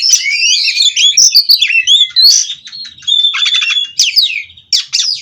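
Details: A farm-bred kacer, or Oriental magpie-robin, delivering nonstop 'ngerol' song: tangled quick whistles at first, then a buzzy rattle and sharp downslurred whistle notes separated by short pauses.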